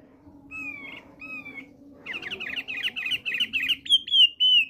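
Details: Male thick-billed white-eye singing: two drawn-out whistled notes, then a fast run of clear, slightly slurred whistles that grows louder toward the end, ending in bright falling notes. A low steady hum sits underneath.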